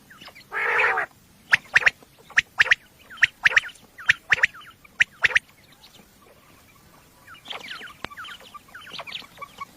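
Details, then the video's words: Common quail calling at night, a recording used for hunting: a buzzy, harsh burst opens, then sharp clipped notes fall in quick triplets, with softer rasping notes near the end. "Batair ki awaz volume 14 batair ki awaz night batair sounds for hunting بیٹر کی آواز"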